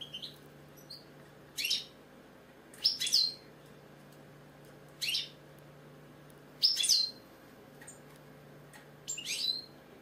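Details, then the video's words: Singing British goldfinch giving short sharp bursts of high twittering notes, roughly every second or two with irregular gaps. Brief silences fall between phrases, with a low background hum. "British Goldfinch singing, Chardonneret , Cardellino, Jilguero, bird song"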